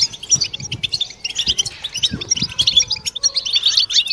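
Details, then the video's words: European goldfinches twittering as a group in mating batbata meant to encourage singing; quick, sparkling high chirps and short trills come in bursts, with soft low taps in the background. "بتبتة حسون جماعية ضرورية لعلاج سكوت+تحفيز إنات لحسون قوى بتبتة جماعية لتحفيز حسون على تغريدة تزاوج"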